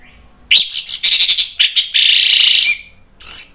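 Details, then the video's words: Orange-headed thrush song, used as a bait sound to prompt other birds to reply and sing: bursts of rich, high, twittering warbles broken by short pauses, with one long buzzy trill in the middle. "SUARA ANIS MERAH bikin ikutan NYAUT NGEPLONG GACOR ¦ PANCINGAN AM ¦ TERAPI MACET"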